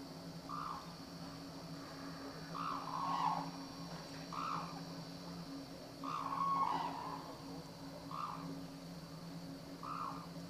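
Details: Black-necked crane in captivity at Akan International Crane Center, Japan, January 8, 2006. Six brief, bugling honks come roughly every two seconds against a steady electrical hum.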